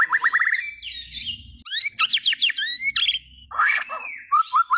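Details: A white-rumped shama in song: a rapid string of chirped notes, then bright rising whistles and a quick trill of upswept notes, a harsh rasping burst, and closing repeated whistles, with a faint low hum beneath.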